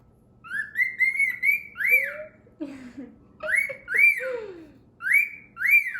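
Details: A pet male grey cockatiel, a talking bird, gives bright, slurred whistles that rise and fall in short repeated phrases, calling like this every morning.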